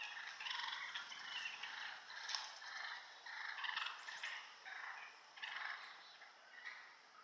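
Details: A group of turkeys fighting just inside the wood line beside a home yard in 2014. Rough, raspy bursts of calling come in clusters about every second or two, with rising and falling intensity and faint background noise.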